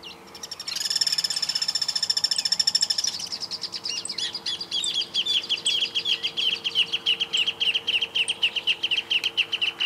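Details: Guira cuckoo in rural woodland in Santa Fe, Argentina, 2023, giving varied calls that one bird may make alone or others may answer: a dense buzzy pulsed rattle, then a long series of repeated descending piping notes.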